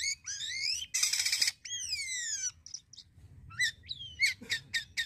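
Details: Jalak kapas starling in full song: sweeping downslurred whistles, a loud harsh rasping burst, then a pause before quick sharp chirps and short clipped notes repeated in a rapid run.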